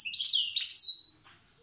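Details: Short phrase from a wild Tiaret goldfinch in the old song style: quick sweet twitters running into a long bright downslurred whistle, then quiet.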